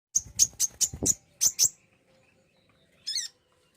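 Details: Common iora song used to prompt a caged bird to sing: a quick run of six sharp, high chirped notes, a short pause, then a brief buzzy high trill near the end.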